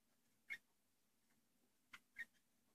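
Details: Young budgerigars in a breeding box give three short, thin squeaks, one alone and then a quick pair, over a faint low hum.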